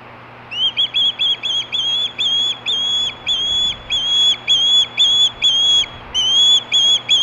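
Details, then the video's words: Osprey at Hellgate, 2014, begging with screams for fish at 4:19 PM: after half a second of quiet, a brisk chain of clipped, piercing whistles runs evenly on, briefly pausing near the six-second mark. "Screaming for fish"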